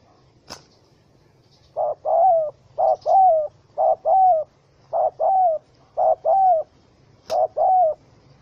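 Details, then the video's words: Trapped wild spotted dove, angry, caught with a small rope on 04/07/2017: after a click, six steady short-long coo pairs follow at an even pace, with another click near the end. "Sound Of Angry, Wild Bird Trap With Small Rope: Birds Spotted dove(Spilopelia chinensis)"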